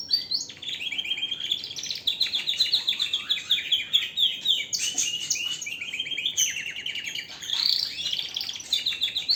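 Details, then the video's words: Strong canary song over about nine seconds, mixing fast high trills, buzzy rolls and sharp whistled notes, changing phrase type every few seconds with brief breaks between sections. "اقوى تغريد طائر الكناري"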